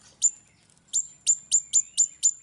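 Grosbeak Starling giving sharp, very high chirps, one lone note then six in quick succession about every quarter second. Little else is heard.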